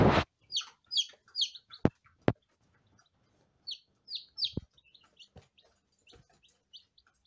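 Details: Day-old lavender Ameraucana chicks peeping: bright, high, downward-slurred peeps in short bursts of two or three, broken by pauses, with a few sharp tapping clicks in between.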